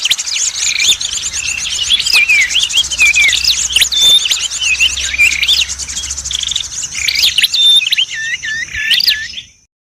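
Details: Clear recording used to attract red prinias and all kinds of small birds: a dense, continuous stream of high chirps, looping whistles and trills from several voices overlapping, with a faint low hum beneath, fading out at the end.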